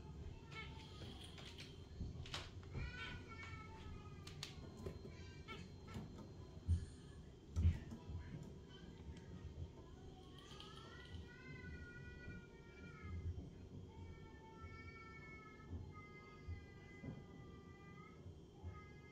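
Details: A pair of budgerigars sitting on a twig chatter with bright, warbling contact calls, some notes sliding upward, over a steady low hum.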